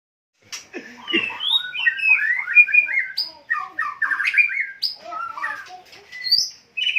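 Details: White-rumped shama singing a rich, varied phrase of whistled, slurred notes, some rising and falling, with short harsh chatters between, pausing briefly near the end before resuming.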